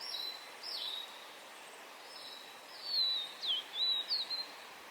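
Yellow-bellied tit giving thin, high, slurred notes, one near the start and a quick cluster of four or five toward the end, over a steady soft hiss.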